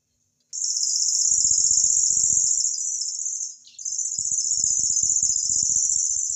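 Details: Imported cici lurik, a tutor bird famed for sounding like a cricket, reeling a loud, very high, rapidly pulsing trill with a short break midway, over low rattling and clattering noises.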